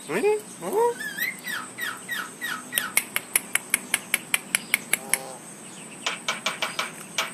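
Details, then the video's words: Javan myna that can talk and cough opens with upward-sliding squeaky whistles and chattering notes, then gives a rapid, even string of crisp clicks, about two per second, over a steady high background hum. "Jalak kebo/penyu gacor bisa ngomong dan batuk"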